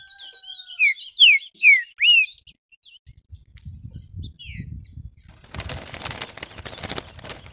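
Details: A caged green-winged saltator, worked up by another rival bird, gives a quick burst of loud, rich whistled notes, rising and falling. Soft thumps and rustling, then a stretch of broad hissing noise follow.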